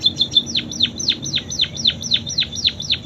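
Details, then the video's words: Munia imitating canary song: two high chips followed by about ten evenly spaced, sweeping downslurred whistles, around four per second. "Burung PIPIT Full isian KENARI"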